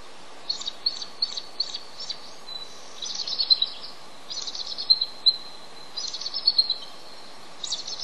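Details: Male bald eagle incubating eggs on the nest, calling for his mate to come relieve him; thin high chittering notes in quick bursts, several runs of squeaky piping across the clip over steady background hiss.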